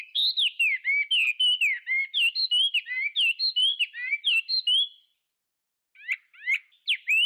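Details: Chinese hwamei singing a long, rapid run of rich varied whistles, warbled up-and-down notes for five seconds, then a pause and a few sharp separate notes.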